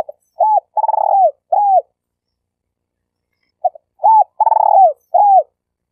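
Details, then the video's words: Tekukur, the spotted dove, used as a denak lure bird for trapping in Malaysia: repeated cooing phrases with clipped opening notes, a rolling, pulsed long coo falling at the end, and a final arched note. "Suara Burung Tekukur Denak Padu Juara All Star"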